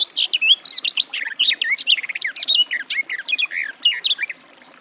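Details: Garden warbler delivering a long, steady warble of rapid varied notes, sweet and scratchy in turn, lasting over four seconds before a single faint note ends it.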